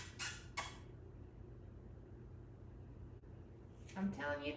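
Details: Eight-year-old female African grey parrot, a rescue that recently laid one egg, replies "oh come on" when told she is a girl. The short, human-like phrase comes near the end, after a couple of sharp household clinks.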